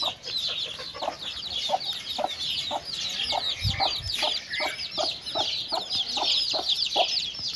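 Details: Mother hen with chicks while eating: dense high, thin chick peeping throughout, over short low clucks from the hen repeated roughly every half second.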